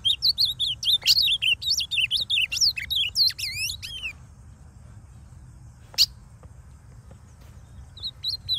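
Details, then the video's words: A wild, native male ultramarine grosbeak, in its last moult from brown to fully blue, sings free in Northeast Brazil forest: a fast, rich four-second warble of sweet sliding high notes, then a pause, a sharp note and a brief restart. "Melhor azulão Cantador"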